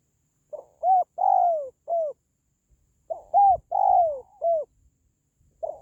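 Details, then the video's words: Spotted dove call used for lifting the spirits of pet doves or luring wild ones: a soft lead-in note, a clipped coo, a long downslurred coo and a short final coo, the phrase repeated after about a second's silence. "SUARA PANGGILAN BURUNG TERKUKUR"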